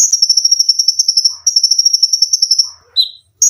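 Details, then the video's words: Olive-backed sunbird (konin), a lively caged singer used for masteran training, giving a mesin jahit style stretch: a long, rapid, even trill of high buzzy notes, a short pause, a second trill, then a lower chip. "TERAPI KONIN GACOR FULL TEMBAKAN RAPAT!!!MESIN JAHIT,LENGKINGAN DAN BESETAN."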